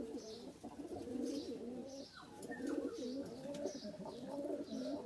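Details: Indian Kaldom breed domestic pigeons, males and females kept on a pigeon farm, give low, rolling coos that overlap in a steady murmur.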